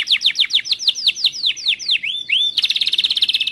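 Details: Timbrado canary training song: a rapid series of downward-sweeping whistled notes, then two rising slurred whistles and a fast buzzy trill of tightly repeated notes.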